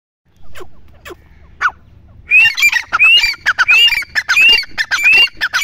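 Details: Grey francolin, known locally as teetar, calling: after about two seconds of near quiet with a few faint clicks, loud harsh phrases begin. Each phrase has a rising whistled stroke among clicking notes and repeats roughly every three-quarters of a second.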